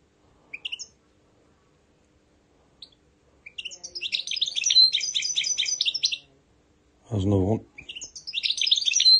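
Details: Tame goldfinch mule singing in a room: scattered high notes lead into a rapid, twittering, rattling song. A brief low human-like sound breaks in before the bird resumes its high chatter.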